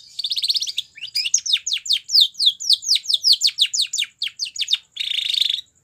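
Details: Spanish Timbrado canary song used for training: opens with a buzzy rattling phrase, then a long sequence of evenly spaced downward whistled sweeps, ending on a harsh buzzy trill, in a quiet setting.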